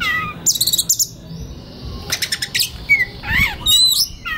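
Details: White-rumped shama's relaxed singing as a master recording for training young birds: short whistles, buzzy rattles and looping slurred notes in separate bursts, fairly quiet background.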